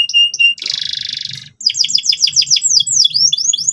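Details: Canary in full, loud song, meant to teach a young canary to sing: clear whistled notes, a buzzy rattling trill, a brief pause, then rapid runs of sharp downslurred chirps.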